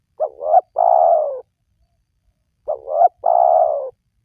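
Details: Spotted dove call played to draw wild doves into calling: two repeated phrases, each two short upswept notes leading into a drawn-out coo that sinks slightly in pitch, with nothing else audible.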